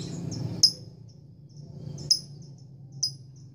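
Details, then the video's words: Female lovebird calling to court a male gives three sharp, high, clipped chirps spaced irregularly about a second apart, with faint softer squeaks between and a low background hum. "Lovebird gacor ngekek panjang betina merayu jantan"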